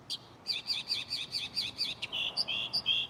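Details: Mockingbird in a tree right beside the recorder at night, rapidly repeating a warbled two-part chirp about eight times, then switching to sliding whistled notes.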